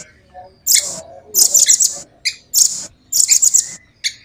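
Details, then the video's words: Short, very high, rapid trill bursts from a velvet-fronted nuthatch, about five bursts spaced irregularly with quiet gaps. "Rambatan gacor jernih,speed rapat ngeroll panjang"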